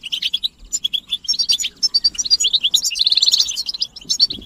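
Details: European goldfinch group chatter aimed at getting males to sing. Sharp high chirps come in quick bursts, with a rapid buzzy trill at about three seconds, then more twittering.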